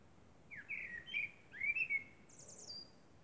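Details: Nocturnal song of a common blackbird under moonlight: two rich, warbled whistle phrases, each swooping up and down, then a thin, high chittering flourish.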